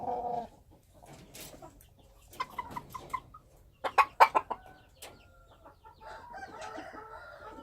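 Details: Wild chickens clucking in short separated bursts, several sharp clustered notes around the middle, then a softer steadier call at the end, over a quiet background.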